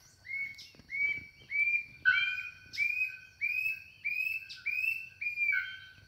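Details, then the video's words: Brassy-breasted tanager singing, a bellbird completing the song: about nine upslurred whistled notes repeated in a fairly steady rhythm, with brief sharp chips and metallic clicks between them and a sustained high ringing tone behind. "CANTO DO CAPITÃO DE SAÍRA ou TIGUÁ- AÇÚ e como sempre a ARAPONGA COMPLETA A CANÇÃO"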